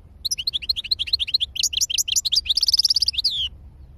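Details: European goldfinch pouring out a liquid twittering song: steady rapid chirps, then a rolling buzzy trill near the end before stopping abruptly, with only faint low hum behind.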